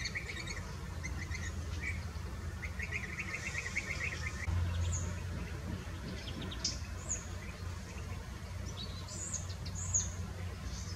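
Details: Berry-eating fieldfares in the Eifel utter quick rattling chack series in the opening seconds, followed by thinner high squeaky notes over a persistent low rumble.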